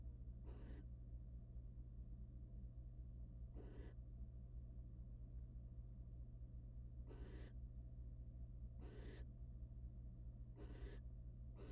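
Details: Wild barn owls in a research nest box, a male mating with a female and preening her plumage; six short, raspy hissing bursts at uneven intervals against constant low electrical hum.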